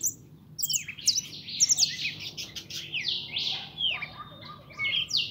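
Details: 'Pintón' goldfinch giving a rapid, varied song of thin high chirps, rising and falling slurs and raspy buzzes, beginning after a short quiet stretch.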